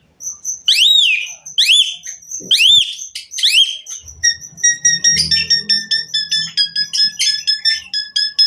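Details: Asian pied myna singing to draw other mynas into song: four loud arched whistles, then a long rapid series of clipped, stuttering chirps at several pitches, with faint low rumbling beneath.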